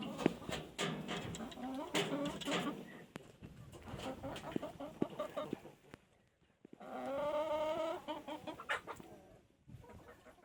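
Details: Rooster on a foggy, wet, cold dawn among chickens: scattered clucks and rustling noise, then a drawn-out, harmonic crow of about a second before the sound drops away.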